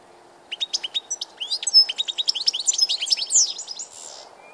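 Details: Singing European goldfinch recorded 16 March 2014: a few spaced chirps speed into a dense, bubbling, tinkling warble before fading into a soft rustle.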